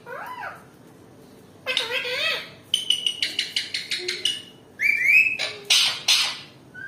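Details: An apparently angry, agitated rose-ringed (ringneck) parakeet gives harsh, grating screeches and a rapid run of about eight clipped squawks, rising to loud shrieks; a quiet indoor hum underneath.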